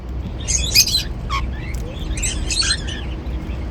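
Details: Cockatiels feeding on seeds make a quick cluster of raspy chirps and short whistled notes, brief and jumbled, over a soft low background drone.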